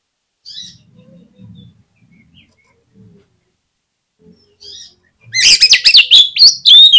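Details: After several seconds of near silence with faint soft rustles, an oriental magpie-robin lure song bursts in loudly with rapid chirps and ringing whistled notes, used to provoke other magpie-robins to sing.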